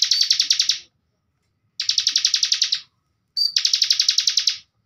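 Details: Ciblek bren bar-winged prinia in a cage, singing as a master bird, delivers three separate bursts of fast buzzy high trill about a second long, spaced by short silences. The last burst begins with a brief whistle.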